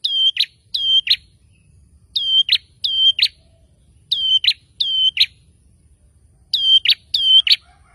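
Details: Ashy tailorbird responding agitatedly to a lure sound: short high two-part notes, a flat whistle then a sharp downward flick, given in pairs and singles about every half second to second, clean background.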